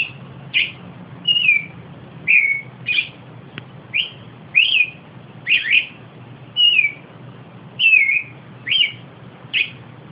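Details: Austral thrush (zorzal patagónico) song: clear whistled phrases around the upper-middle register, each short, some rising then falling, delivered about every second with brief pauses; faint low background hum.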